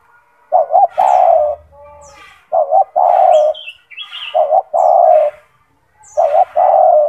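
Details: Loud-voiced kept spotted dove (tekukur), gacor, used to train other doves. Four phrases of a stuttered two-note start and a long falling coo, spaced about one and a half seconds apart, with soft high bird chirps.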